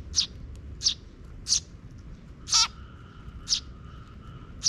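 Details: Sparrow parent and young chick in a park in June, the chick following after the parent checks for safety. Six crisp, high chirps at irregular intervals, one fuller and buzzier, with a faint hum behind.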